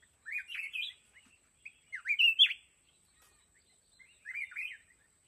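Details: Red-whiskered bulbul, a decoy bird in a fighting trap set for wild mountain bulbuls, sings three bright warbled phrases of rising and falling notes, each about half a second long, separated by short pauses in a quiet setting.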